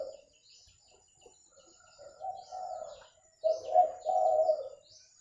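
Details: Spotted dove call used for luring birds: two soft, burred coo phrases, the second louder and rolling, with faint high chirps from other birds in the background.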